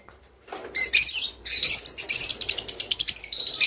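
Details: Java sparrow song, used to encourage kept birds to mate: after a short silence, high chirps lead into a long, pulsing, whining trill that stays high and steady to the end.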